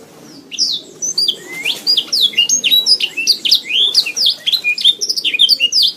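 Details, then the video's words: Canary singing on a recording made to train other songbirds: a dense, fast run of sharp rising and falling whistled notes and chirps, starting after a brief pause and continuing nonstop with quick, varied phrases. "Masteran Suara Burung Kenari"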